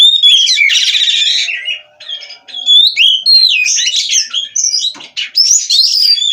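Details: Captive Oriental magpie-robin (kacer) from an Indonesian breeder: a rasping buzzy phrase, a short pause, then clear rising and falling whistles and chattering notes delivered energetically.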